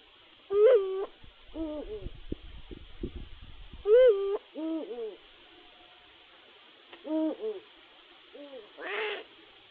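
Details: Eurasian eagle-owl courtship, 2022/2023, a female with a new male that appeared two weeks after her old partner was lost. Loud arched calls alternate with softer, lower, rising-falling notes as in a duet, with a brief rustle and a final burst.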